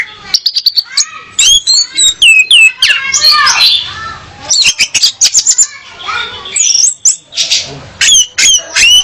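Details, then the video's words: Female orange-headed thrush song meant to attract a male and spur him to sing: rapid varied chatter of sharp chirps, slurred whistles and buzzy notes, delivered in dense bursts separated by short gaps. "Kicau Anis Merah Betina Pemikat Anis Merah Jantan Biar Gacor"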